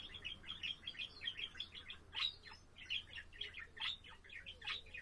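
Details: Pet budgerigar warbling, recorded on April 7: a dense, continuous stream of quick chirps and chatter, some notes briefly sparrow-like, rising and falling without pause over a faint low hum.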